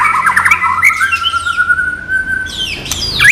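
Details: White-rumped shama song, a training-material style without bubbling notes: a few quick whistled phrases, then a long, steady, slightly rising whistle held for over a second, ending in sharp upward-sweeping notes.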